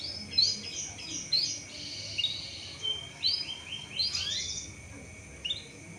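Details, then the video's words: Canary used as a lure bird to spur other canaries into singing, giving scattered high chirps and short twittering phrases with brief pauses between them over a faint low background hum. "CUIT CUIT PANCINGAN BURUNG KENARI AGAR CEPAT GACOR DAN NGEROL"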